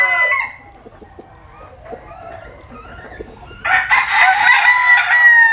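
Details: A sunbathing rooster in rural southern Vietnam. One crow trails off at the start, then a quiet gap with faint clicks, then a loud, full, strained crow held steady for almost two seconds.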